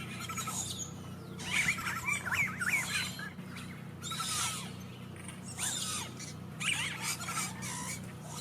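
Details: Noisy Yellow-rumped caciques, said to call like this when they have eggs: repeated bouts of loud, bubbling, liquid whistles mixed with harsh crackling notes, several birds overlapping, with a constant low hum beneath.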